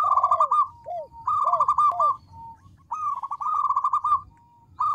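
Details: Local zebra dove with a small but loud voice, singing to draw replies: rapid staccato bursts of bright repeated notes alternate with soft, downward-curving cooing notes, repeated several times.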